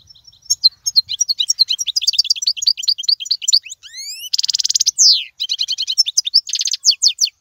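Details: Goldfinch song meant for tutoring young birds: quick high chirps, then a series of rising whistled sweeps and harsh buzzy trills, followed by more rapid tinkling notes.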